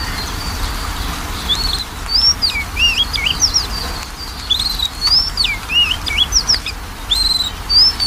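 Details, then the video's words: Lure recording of Magpie-robin song meant to stir a lazy bird into singing: rich sequences of whistled, swooping notes and rapid slurred phrases in two main bursts, with a constant low hum underneath. "PANCINGAN KACER MALES BUNYI"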